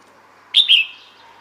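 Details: Calling female red-whiskered bulbul seeking males: one quick two-part chirp, a sharp high note followed by a slightly lower, down-slurred one, clear over faint hiss.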